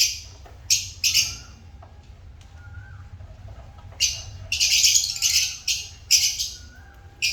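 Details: Shrill squeaky chirps from pet African lovebirds: a few sharp notes early, a quiet stretch, then a dense cluster of high, raspy calls near the end.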